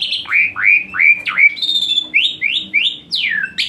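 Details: Asian pied starling giving 'tembakan panas' song meant to spur lazy starlings: nine clear downslurred whistles in under four seconds, one long level high note midway, loud and ringing.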